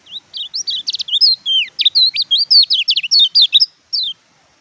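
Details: Oriental white-eye (kecial kuning) in full song: a lively, continuous warble of high, sweet slurred notes and quick trills, rising and falling rapidly for about four seconds, ending with one lone note; no other sounds.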